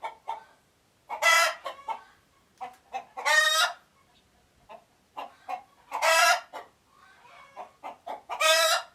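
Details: Alert chicken noises recorded in Uganda: loud harsh raspy squawks recur every two to three seconds, separated by short clucks, against a quiet background.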